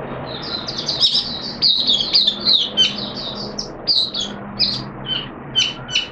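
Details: Captive oriental white-eye in full song while on a monthly deworming treatment, second day: loud, rapid high warbling chatter with sharp chirps and brief pauses, some clicks and knocks in the background.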